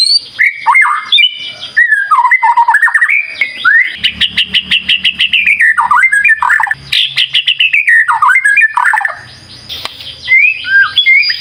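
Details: Energetic song of a white-rumped shama: loud, varied whistles and swooping phrases, broken by rapid ticking trills and high, buzzy passages, closing with bright upslurred notes.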